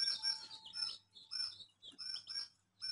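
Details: Colourful baby chicks chirping: bright, high peeps that drop in pitch, given in quick overlapping bursts with short pauses between them.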